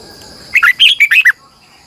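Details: Morning song of a red-whiskered bulbul kept as a lure bird, long twisting double-voiced style. One quick phrase of about seven clear, warbling whistled notes, some rising, some dropping, over a faint steady high hum.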